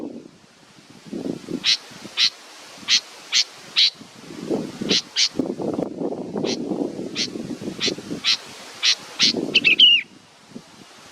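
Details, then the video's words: Young bird awaiting its mother's return: dry, buzzy rasps spaced roughly half a second apart, a quick sliding whistled note toward the end, and soft low background rumble throughout. "A beautiful baby bird is waiting for its mothe"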